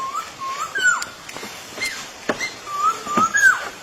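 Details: Bird giving soft, level whistled notes that rise and then drop sharply, repeated in short phrases. Scattered clicks and taps are heard between the notes.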